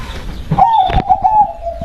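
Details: Local perkutut, the zebra dove, said to be berkodam, gives a brief song of two rapid bubbling coo notes. The coos run into a drawn-out, gently wavering low trill, with a soft knock in the middle.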